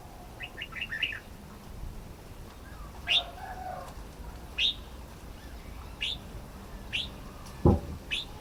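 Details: Red-whiskered bulbul (Pycnonotus jocosus) gives sharp, high, down-slurred chirps about every second and a half after a quick run of short notes, over a low rumble and one dull thump.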